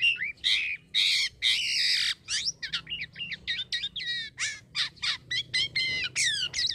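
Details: Indonesian caged Black-winged myna singing continuously: harsh broad squawks at the start, then a fast string of sharp chirps and short whistled slurs, roughly two per second, without pause.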